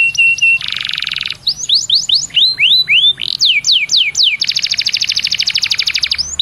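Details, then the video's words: Canary lure song for getting other canaries to sing: short repeated whistles, a buzzy burst, a chain of swooping slurred whistles rising and falling, then a long fast rattling trill. "PANCINGAN KENARI BIAR CEPAT GACOR"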